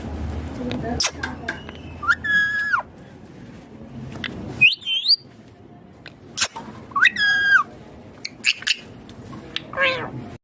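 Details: A rose-ringed parakeet perched in a neem tree gives harsh, screechy squawks and sharp rising whistles in irregular bursts, with clicks and faint background chatter.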